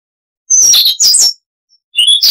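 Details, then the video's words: Short fragment of Siberian rubythroat (Luscinia calliope) song, noise reduced: two quick bursts of high scratchy twittering after half a second of silence, then the start of another bright phrase. "Masteran Burung Luar Negeri Suara Unik Asli HD AUDIO - Siberian Rubythroat (Luscinia calliope)"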